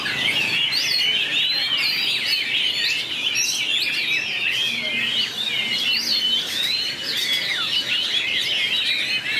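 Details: A white-rumped shama in contest song, 2019: a thick, unbroken tangle of bright whistles, trills and quick slurs, steady in loudness with brief dips, busy and energetic.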